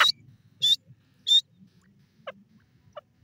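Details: Francolin (teetar) calling: three loud, harsh, high notes about 0.6 seconds apart, then two much fainter short notes, over a low background rumble.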